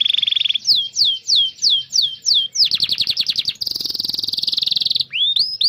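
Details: Canary training song for young canaries and those stuck without song: a fine trill, repeated falling whistles, a quick rattle and a dense buzzy roll, then rising swoops.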